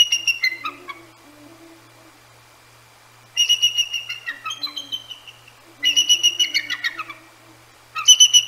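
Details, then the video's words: Two nesting Bald Eagles at Decorah North, around 10 p.m. in January, scolding a pair of Great Horned Owls; bursts of high, rapid, piping chitters separated by pauses, with soft low owl hoots faintly underneath. "Eagles Vocalize at GHOs"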